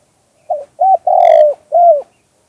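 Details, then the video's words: Spotted dove singing one two-kuk-hoi phrase, recorded as natural sound. A short soft note leads into a clipped coo, then a long loud descending coo and a final arched coo, all low and mellow. "เสียงนกเขาใหญ่ 2021 2กุกห้อย เสียงธรรมชาติ"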